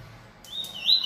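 A brief fragment of a Bahia seedeater's song: a clear, high whistled note that slides and grows louder, ending abruptly. No other sounds.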